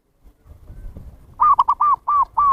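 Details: Zebra dove call used to lure wild birds: after a soft rumbling background, five loud, clear cooing notes, each a short arched coo, the first ones stuttered, the rest evenly spaced in a quick series.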